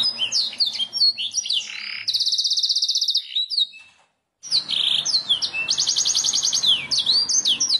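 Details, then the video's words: Canary training song to make birds sing: sliding high whistles and a buzzy note, a long rapid trill, a short silence, then more whistles and a second even trill. "Suara burung kenari masteran ,langsung nyaut"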